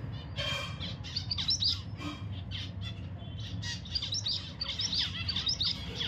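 Zebra finches give rapid, nasal, high chirps and short buzzy notes over a steady low hum.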